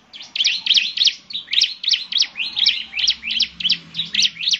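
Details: Lively bar-winged prinia song used to draw replies from other prinias, a fast chain of sharp, scratchy high chirps roughly three per second, each note bursting up and down, steady pulsing rhythm.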